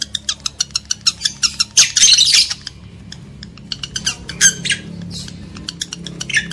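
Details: Lovebird squawking for stimulating breeding males and females: a fast series of dry ticks, a long harsh screeching burst near 2 seconds, then more shrill squawks and chatter to the end.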